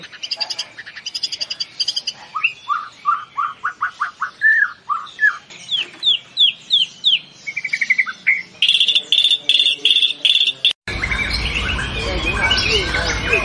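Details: White-rumped shama in competition song: rapid repeated chips, then a string of sweeping whistles and a high buzzy trill, ending in loud broadband noise.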